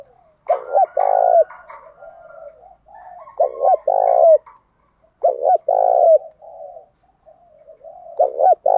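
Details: Spotted dove singing to provoke other doves to duel: deep, hollow two-part coos with a slight downward slur at the end of each note, repeated every two to three seconds over quiet, murmuring background coos.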